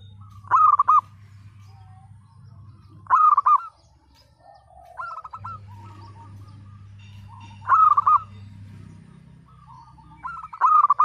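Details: Local zebra doves singing a lot in a broken-voiced style, used to prompt mute or lazy birds to sing. A loud trilled cooing phrase comes about every 2.5 seconds, with fainter distant phrases between them and a low steady hum.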